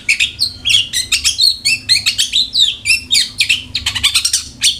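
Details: Long-tailed shrike song used as a lure so caged shrikes sing diligently: a continuous, rapid medley of scratchy chirps, downslurred whistles and short trills, with a faint low hum beneath.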